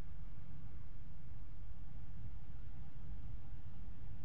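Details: Steady low rumble and hum fill the recording, like machinery or traffic, with no animal sound present.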